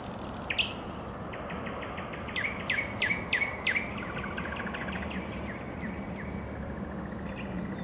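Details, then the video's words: Evening song of a nightingale: quick rattling series of repeated notes building to louder accented strokes, with descending high whistles from other birds and faint background noise. "Вечернее пение соловья"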